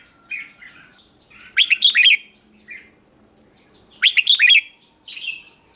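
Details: Red-whiskered bulbul lure song to attract wild birds: two bursts of fast, sweet, rolling whistles about two and a half seconds apart, with soft single chirps in between.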